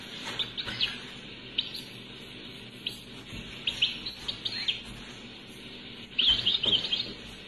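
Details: European goldfinch song from an unedited cassette recording, Algeria; scattered bursts of high, thin chirps and twitters, then a fuller rapid twittering phrase near the end, over steady tape hiss.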